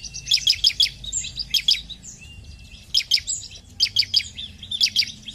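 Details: Bar-winged prinia singing in 'gacor' fashion to rouse other birds: quick runs of four or five bright, high chips, repeated roughly every second with faint thin whistles between.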